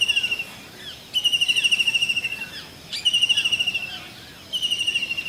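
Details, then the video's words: In India, a blue kingfisher gives a series of high, piercing trills, each a fast run of whistled pulses lasting about a second, repeated four times with short pauses between them. "Blue Kingfisher Bird call || Real sound of Kingfisher"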